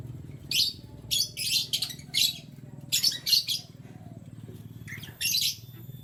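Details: Canary heard in the morning, giving bright, buzzy bursts of chirping notes in quick clusters, each lasting under half a second with short pauses between them, over a low steady hum.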